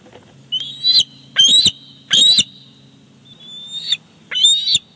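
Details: Bald eagle nest at Big Bear Lake, July 2019, as the father delivers a fish to the chick. Five high, thin whistled calls, short and slightly rising, spaced under a second apart with a faint low hum beneath.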